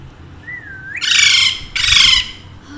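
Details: A soft level whistled note rises straight into two loud, grating squawks from pet Alexandrine parakeets, a pair said to speak Urdu and Hindi.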